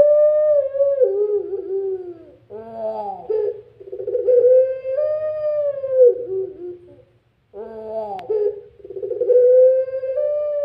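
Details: A Barbary dove of the puter pelung type gives its "crying" call: long, drawn-out wavering wails that slide gently up and down at mid pitch, in two extended phrases split by a brief silence.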